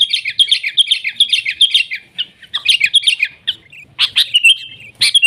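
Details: Sooty-headed bulbul singing energetically in natural surroundings, nggaruda style: fast repeated high chirps in a steady run, ending in a few louder sharp calls.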